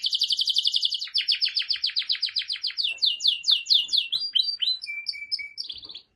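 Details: Canary singing a fast pulsed trill that slows into a run of separate falling notes, then clear whistles and a steady lower whistled note before ending.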